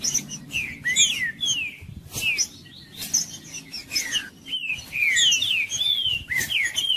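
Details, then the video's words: Green-winged saltator, a male in fighting mood, singing to fire up other males: quick series of clear, slurred whistles, mostly falling in pitch, delivered in bursts with short pauses between phrases. "Trinca-ferro Macheando com Trinca ferro cantando Para Esquentar Trinca ferro"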